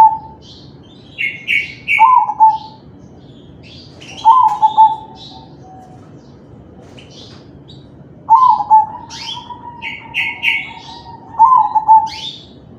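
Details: Zebra dove of crossbred kalung tempuk type, its song played to stir other doves to answer: repeated mellow, bubbling coo phrases every two to four seconds, amid frequent high, buzzy chirps from small birds nearby.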